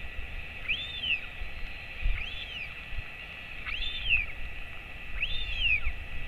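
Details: A royal albatross father feeds his chick, hatched 23 January 2024, on a colony webcam late in August 2024. Four arching, whistled notes come at a steady pace over a constant low rumble and hiss.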